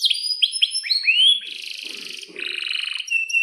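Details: Canary singing long 'cuit cuit' chirps and rolls as a tutor for young canaries: quick falling chirps that quicken, then a sustained buzzy trill, a pause, and a second rattling roll.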